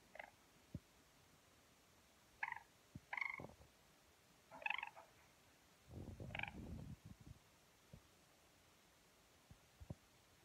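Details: A 4-week-old yellow golden pheasant chick, held and cuddled, gives five short, high peeps at irregular intervals over ten seconds, with soft low thumps and rustling in between.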